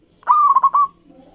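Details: Local zebra dove singing to prompt other birds to sing: a single clear coo phrase, an opening note running into three quick bubbling pulses, lasting about two-thirds of a second, over quiet low background hum.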